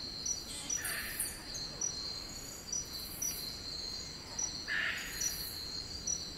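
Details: Wild eclectus parrots calling in rainforest on Cape York, Australia: two short, harsh, rasping squawks a few seconds apart over a steady high-pitched insect drone.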